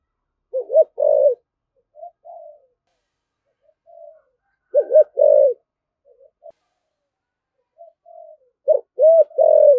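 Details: A spotted dove delivers three spirited 'thúc gù' coo phrases in the 'thổ' voice. Each phrase opens with a short note and loud rounded coos, then quieter murmurs, with long pauses between phrases.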